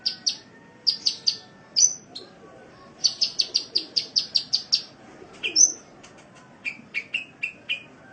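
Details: Cage-bird masteran of a sunbird from Indonesia: clusters of high, sharp chips, a run of rapid even notes, then a sequence of lower, slightly falling chirps at a steady pace.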